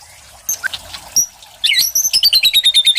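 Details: Caged white-rumped shama, a competition-winning bird, giving high thin chirps and squeaks, then a rapid run of sharp high notes repeated about four per second.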